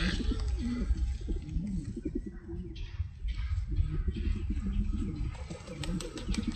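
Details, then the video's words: Pigeons cooing in low, throaty, overlapping rolls repeating every second or two, over steady low rumbling noise; finding: pigeon. "Pigeon Sound"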